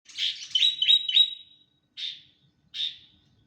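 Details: Sooty-headed bulbul, described as stressed and seeking attention, giving a quick run of bright chirps that run together for over a second, followed by two short separate notes.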